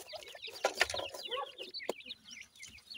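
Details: Indian grey francolin chicks under care, feeding; scattered thin rising peeps from several chicks mixed with sharp pecking clicks and a few lower rasping notes.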